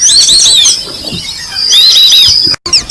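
White-faced Whistling Duck giving clear, high whistled notes in quick two- and three-part bursts, repeated through the clip, over a faint thin steady tone.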